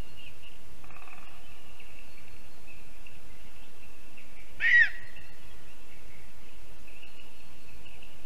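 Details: A single clear, high-pitched yelp from a female lesser spotted eagle at her nest in a spruce in Zemgale, Latvia, on an April 2022 evening after her return from Africa to breed. Otherwise near silence with a faint steady tone.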